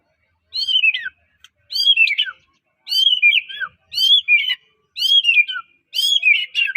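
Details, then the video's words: White-rumped shama of the Medan type, kept as a song trigger for other shamas: six clear whistled phrases in steady succession, each rising sharply then sliding down into a short flourish. "MURAI batu gacor suara unik bikin murai murai batu lain langsung gacor"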